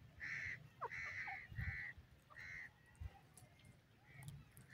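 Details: Male grey francolin, known locally as teetar, from India and Pakistan, calling to claim territory and attract mates: a run of five loud, harsh, nasal notes, each about a third of a second long, over a noisy background with faint chirps.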